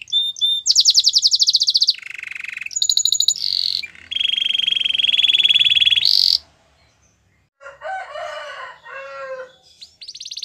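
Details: Singing canary for training: harsh pulsed trills alternate with a long steady level trill, a short pause, then lower chattering notes and a final bright trill.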